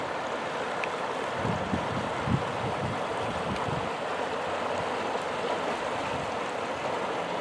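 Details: Steady rushing of water or wind fills the whole recording as a dense, even roar with no animal voice heard.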